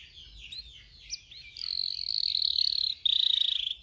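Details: Canary song for training young canaries: soft warbled notes at first, then a long fast rattling trill and a bright, rapid pulsed roll at the end.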